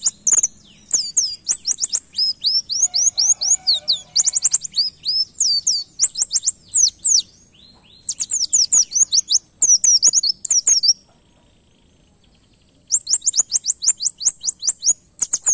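An oriental white-eye sings rapid, very high twittering phrases of quick sweeping notes, canary-like in style.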